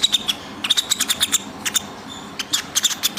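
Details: Small bird heard in the morning giving rapid, thin, high-pitched chirps in quick irregular bursts, with short pauses between clusters, in a quiet indoor-sounding setting.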